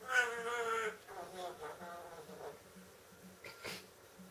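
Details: Pet parrot, female, getting carried away singing and dancing on her perch indoors; opens with a rich, voice-like tonal wail, followed by softer, murmured, speech-like sounds that fade, with a faint low hum behind.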